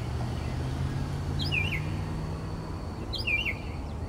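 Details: Texas mockingbird heard at 4 am in the night: a pair of brief, squiggly warbled phrases separated by a pause of nearly two seconds, with a steady low drone beneath.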